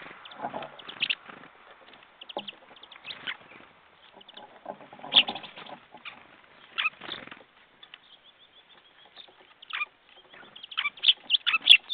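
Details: Jackdaws recorded on 21 February 2014 at 10:50 in the morning: many short, harsh, clipped calls from several birds overlap in irregular bursts, with dense chattering clusters around the middle and a louder run of calls near the end.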